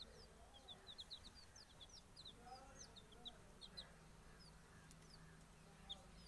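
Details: Many coloured chicken chicks calling together: a busy stream of short, high, downward-slurred peeps, several per second and overlapping irregularly, over a low steady background hum.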